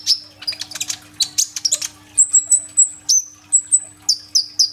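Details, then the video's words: Singing captive sunbird, phone recording: begins with scratchy, rattling high chatter, then shifts to clear piercing whistles that drop in pitch, repeated about twice a second over a faint hum. "BURUNG KOLIBRI NINJA GACOR FULL TEMBAKAN ISIAN ROLL TEMBAK"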